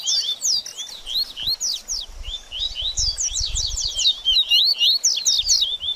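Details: Baderninha-style song of a double-collared seedeater, used to warm up a bird after its moult: continuous high, chattering run of quick swept chirps, with faint low rumbling underneath.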